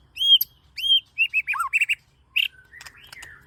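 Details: White-rumped shama lure song: arched whistled notes, a quick string of short chips and a low falling whistle, followed by softer chatter near the end.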